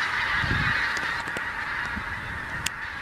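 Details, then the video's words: Many geese arriving in a skein over the Lancashire moss-lands at Ormskirk Moss on seasonal migration; rapid, overlapping honks from the flock, strongest early on, against constant broadband background noise and a brief click near the end. "Skein of geese over Ormskirk Moss"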